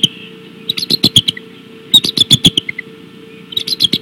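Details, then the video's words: Bald eagles at Decorah on 17 March 2016 at 6:15 pm, giving high, thin chittering calls in quick bursts of clipped, squeaky notes, with two pauses between runs and a steady low hum underneath. "Decorah Eagles Appels"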